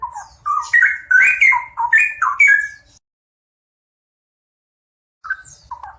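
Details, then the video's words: Straw-headed bulbul pair in full song, a rapid run of mellow, liquid whistled notes rising and falling for three seconds, then a pause before a brief fresh burst of warbling near the end; faint low rumble underneath. "Sepasang Cucak Rowo Gacor"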